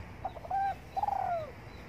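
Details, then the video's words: A morning coo from a spotted dove sunning itself: a few clipped soft notes, a steady mellow note, then a longer warbling coo sliding downward, over a quiet background. "Cu Đất Gáy Gù Phơi Nắng Sáng"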